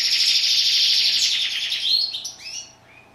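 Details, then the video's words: European goldfinch singing a rasping, buzzy trill that breaks into a few bright, down-slurred liquid notes before fading into quiet. "Song of bird goldfinch"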